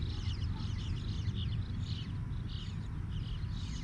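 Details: Bluebird babies chirp loudly while their parents are around, giving quick, high, thin chirps in small bunches about every half second, set against a constant deep outdoor rumble.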